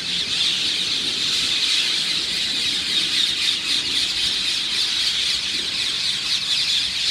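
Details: Many parakeets roosting by Ramsgate railway station on the Isle of Thanet in the early morning give a dense, continuous chorus of harsh, shrill, high-pitched screeches, unbroken throughout.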